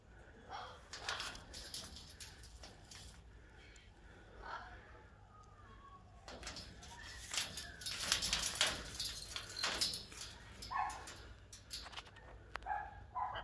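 Military macaws give harsh, raspy squawks in irregular bursts, loudest in the middle, guarding their nest; faint indoor hum beneath.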